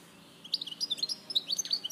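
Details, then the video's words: European goldfinch singing at Larache, 2014: after a short silence, a quick run of tinkling, slurred chirps and twittered notes. "Jilguero Larache 2014"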